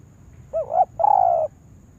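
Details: Spotted dove kept as a decoy for trapping in a yard, being trained to lure wild doves: one call of a short wavering double note followed by a longer, steady, mellow coo, low-pitched and clean against quiet background.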